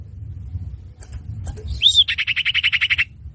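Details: Lure sound of the common iora (cipoh), used for trapping: after a few soft clicks, one high arched whistle opens a fast, even, buzzy trill lasting about a second over low background hum.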